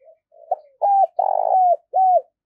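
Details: Spotted dove used as a decoy, calling to lure wild doves: a short soft opening coo, then three strong low coos, each swelling and sliding slightly downward, in a quiet indoor setting.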